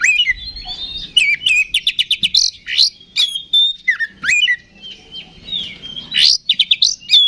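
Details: Provocation song of an Oriental magpie-robin meant to trigger a fighting response: varied high whistles, rising sweeps and bursts of quick repeated chirps, with short pauses between phrases.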